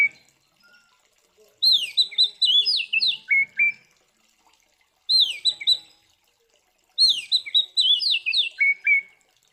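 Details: Oriental magpie-robin in fighting-style song, used to provoke other magpie-robins: bursts of fast, varied whistled and buzzy phrases that slur up and down, with short dropping notes at the end. Two long bursts and one short burst, with quiet gaps between.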